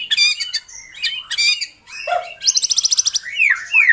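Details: Lure song of a white-rumped shama for a captive bird that has stopped singing: rapid rattling trills, a low mellow note, a fast ticking series, then loud upslurred whistles.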